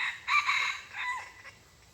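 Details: Loud, raspy red junglefowl crow from a decoy hunt for wild junglefowl on 23 February 2022, a strong opening burst trailing into a falling, fading final note, with quiet background hiss.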